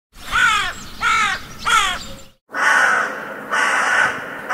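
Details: Crow calling: three harsh, rasping caws in quick succession, then a brief silence followed by longer, hoarse, drawn-out calls.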